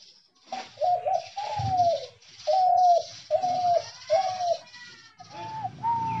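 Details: Caged decoy spotted dove in a trap cage giving a run of short hooting coos, some slightly wavering, over a steady high hiss, with a faint whistled sound partway through.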